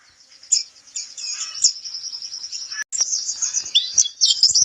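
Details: Pleci kapur white-eye giving a thin, sustained high trill that runs almost unbroken, decorated with brighter chirps and a short break before a livelier twittering finish.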